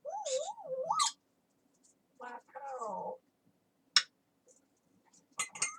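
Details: Talking parrot indoors opening with a wavering, warbling whistle that rises at the end, followed by a drawn-out speech-like phrase, a sharp click and brief high chatter.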